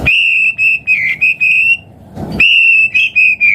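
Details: White-rumped shama song used to trigger other birds into singing: sustained pure whistles held on a steady pitch, broken into repeated segments, with a short noisy gap midway.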